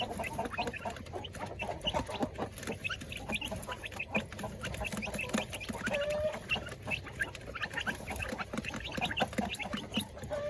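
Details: Village chickens and laying hens kept in coops are fed, producing a continuous babble of short clucks and squawks, plus an occasional longer drawn-out note and a low steady hum.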